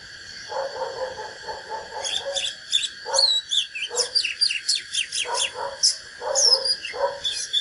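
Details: Oriental magpie-robin, a natural bird, giving a duelling song meant to fire up rivals: quick whistled notes and sweeping slurs in bursts, with lower chattering notes between phrases over a constant high background whine.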